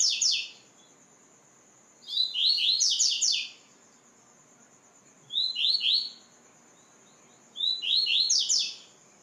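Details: A white-throated seedeater in a training recording sings four bursts of high, rapid twittering phrases, each lasting about a second, every two to three seconds, over a thin, steady high whine.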